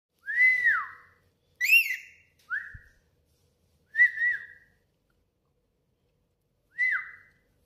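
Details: Pet lorikeet whistling in a washroom: five separate clear whistles, each a bright tone that holds steady then slides down or wavers, spaced about one to two seconds apart with quiet gaps between.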